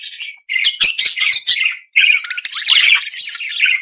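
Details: Budgerigar singing a rapid, rasping, chattering warble with squeaky whistles, broken by one short pause.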